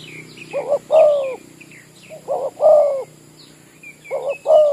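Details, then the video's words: Spotted dove used as a lure bird at an oil palm site, cooing three times in quick succession, each phrase a doubled short note and a long rolling coo, backed by high chirping from other birds. "Ayol Terkukur-burung kampong jadi pikat"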